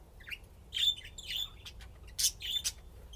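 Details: Playing budgerigars give quick warbled chirps and harsh squawks in two close bursts, the second sharper and louder.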